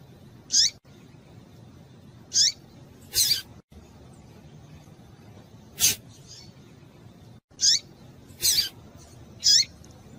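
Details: Calls of a female double-collared seedeater in heat, meant to stir up males: brief high chirps at irregular intervals, mixed with several sharp clicking knocks.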